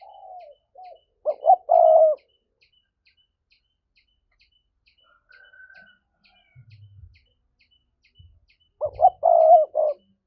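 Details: Spotted dove giving a 'thúc' coo to lure wild doves. A loud low phrase of double note and long coo is followed by a long quiet gap with faint low thumps, then the phrase repeats at the end.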